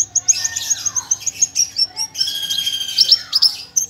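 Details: Parva Javan bush lark in a tutor song recording, giving rapid high chirps and buzzy strings with a couple of descending slurred whistles beneath, the phrases packed closely together.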